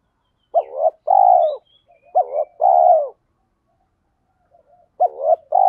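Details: Spotted dove lure recording used to provoke wild males into cooing back: two-part coos, a short looped note then a longer falling one, in three phrases over a silent background.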